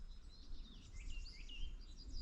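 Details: Common starling, the first heard this year, in an exceptionally warm, wet February winter (17 Feb): a run of thin, twisting whistles and warbled notes, including a high-pitched whistle, mimicking other birds such as bullfinch and buzzard, over low wind rumble.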